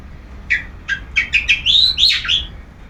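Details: Long-tailed shrike sunbathing and singing in ngeplong style: separate chirps quicken into two loud, swept whistles rising and falling, quiet surroundings.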